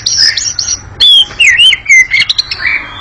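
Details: Oriental magpie-robin giving a long, very agile and noisy ngekek chattering song: loud slurred whistles that rise and fall, rapid high chirps, and quick bursts of notes in close succession.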